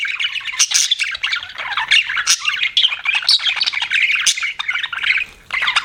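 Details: Pet budgerigars chattering nonstop, a dense tangle of scratchy chirps, squawks and warbled notes layered over one another with no pauses.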